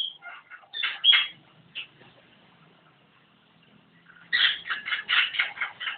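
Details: Javan myna chatter: scratchy squeaks and whistles, a long quiet stretch, then a fast string of loud grating notes repeated several times a second.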